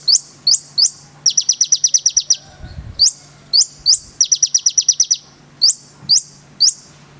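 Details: Konin in full song, giving piercing high chips in loose series and two quick chattering trills of roughly eight notes, with a soft steady hum and a brief low thump.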